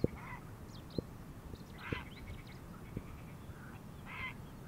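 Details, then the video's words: Grey heron, a wild winter visitor in Palestine, giving three harsh, hoarse croaks with stacked harmonics, near the start, middle and end, over a low rumbling background with regular sharp clicks about once a second. "صوت مالك الحزين الزركي البلشون الرمادي Grey heron sound Héron cendré Garza real"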